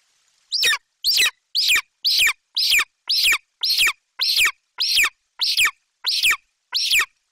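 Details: Golden eagle chick, Bucovina, July 28, 2021, dropping down from branching to claim a Eurasian magpie brought by its mother, screaming with excitement; a rapid run of twelve shrill, downslurred screams, nearly two per second.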